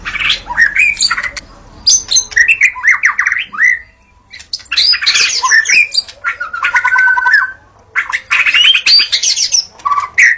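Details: White-rumped shama in the forest singing long varied phrases: scratchy warbles, rising whistles and a sustained wavering note, separated by brief silences.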